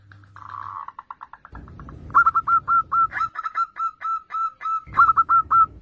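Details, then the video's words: Zebra dove (perkutut) singing actively, used as a lure for untrained doves: a soft low buzz, then a quick series of short hooked coos, about a dozen evenly paced notes over three seconds, with faint low rumbling behind. "PERKUTUT GACOR syahdu buat Kelangenan Pancingan Perkutut Bahan"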